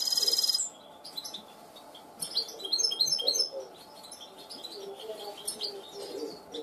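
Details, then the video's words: Goldfinch hybrid trained in cante limpio opens with a dense high buzzing trill, then a quieter stretch of scattered tinkling chirps and short twittered phrases. "mixto de jilguero educado a cante limpio"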